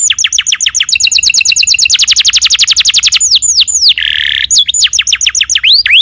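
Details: Canary singing a varied, energetic song: quick repeated chips, a very fast trill, sweeping falling slurs, a harsh buzzy burst, then more downslurred whistles.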